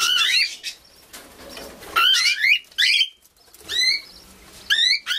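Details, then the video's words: Young cockatiel kept in an aviary, uttering several scratchy, warbling calls in separated bursts, some with upward sweeps, plus a softer fluttering interval and faint rustling between calls. "Jonge valkparkiet in de Vogel voliere"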